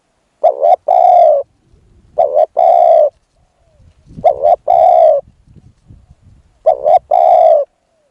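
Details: Decoy spotted dove used to attract a wild dove, cooing four times. Each phrase is two quick notes then a steady, rounded coo, separated by gaps of about two seconds with faint rustling.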